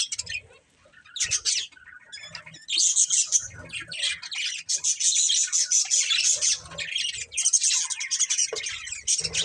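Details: A breeding pair of budgies gives dense, buzzy warbling chatter, starting sparse with scattered chirps, then building into a sustained run of rapid scratchy notes and squawks.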